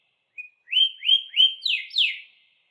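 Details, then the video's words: Brief canary phrase from a pet bird: one soft piping note followed by five slurred whistles, the last two sweeping sharply downward. "burung kenari bakal ikut bunyi dengar suaranya"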